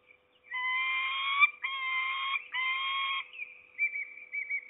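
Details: Peregrine falcon female at the nest with two chicks, Trzebież forest district, Poland, 7 May 2020: three loud, drawn-out harmonic wailing notes about a second each, then softer short trailing notes over a faint steady hum.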